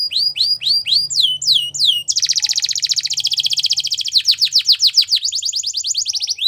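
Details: Belgian canary song for training: rising whistled notes repeated several times, followed by a long rapid buzzy trill and a series of quick downward sweeps.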